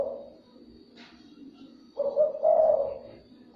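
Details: Spotted dove call meant to lure other doves: the tail of one coo, a quiet pause with a faint click, then one full low rolling phrase and the start of another.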